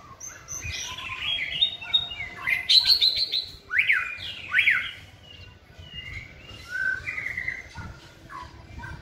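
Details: White-rumped shama singing during training: rich, fast medley of loud whistles and chirps, steep rising and falling slurs packed in the middle, softer fluted notes trailing off toward the end.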